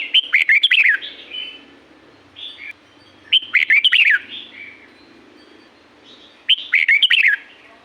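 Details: Red-whiskered bulbul song from Pa La-u forest in Thailand: three short, lively whistled phrases of rapid chirpy notes, each followed by a softer echoing tail, repeated about every three seconds with quiet gaps between.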